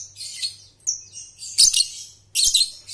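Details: Young lovebird lure recording: three quick bursts of shrill, scratchy chatter and a short whistled note, close together, with a light low hum in the background.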